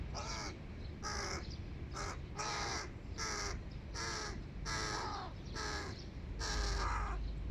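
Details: Big hooded crow fledglings begging at breakfast with the adults: seven hoarse, nasal cries repeated steadily about once a second, each roughly half a second long.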